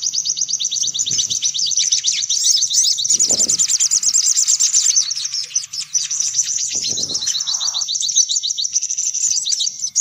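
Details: Lure call to attract sunbirds: an unbroken stream of shrill, very rapid trills and chips, several birds seemingly overlapping, with a few faint low knocks.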